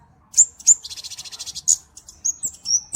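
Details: Flowerpecker song used for training songbirds and for luring: sharp, very high chips, then a rapid buzzy rattle of about ten pulses, followed by short high whistled notes descending slightly in steps.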